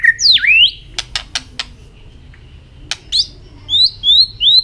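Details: White-rumped shama in contest song, tail flicking constantly: a loud swooping whistle dips and rises, then a run of dry clicks, then short high whistled notes repeated in a slurred series.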